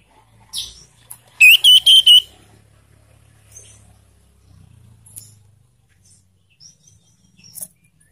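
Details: A young sirtu, recorded as a lure call to prompt other sirtu to sing, gives a quick burst of four clear, ringing whistled notes near the start, then only scattered faint chips and ticks.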